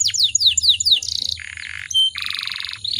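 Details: Female canary in breeding condition, kept as a caged songbird in Indonesia, singing to provoke other canaries into song: rapid descending whistled sweeps, then buzzy trills and rattling rolls, a short pure whistle, and a second rattling trill.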